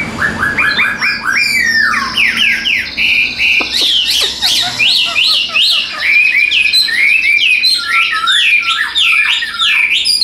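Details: Caged Chinese hwamei, a tame bird said to sing evenly and fan its tail while competing, delivering a loud, continuous run of whistled, slurred notes that rise and fall, with rapid repeated phrases throughout.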